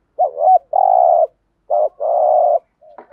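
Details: Spotted dove kept as a decoy, cooing in thúc gù and gáy gọi style: two phrases, each a quick wobbling note followed by a long even hum-like coo, with a faint clicking at the end.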